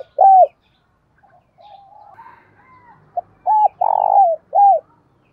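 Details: Decoy spotted dove with the thổ bầu voice, calling to provoke a fight: a loud opening coo, a run of faint soft coos, then a phrase of three loud deep coos with the long buzzy one in the middle.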